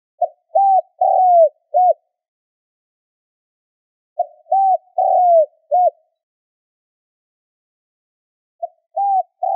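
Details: Lure call of a spotted dove meant to draw in wild birds: three clear phrases of low hollow coos, each a short note, rising-falling arched coos and a clipped final note, repeated about every four seconds in silence.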